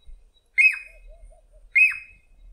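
Jacobin Cuckoo giving two loud, ringing notes about a second apart, each a sharp rise then a falling slur, with faint low sounds in between.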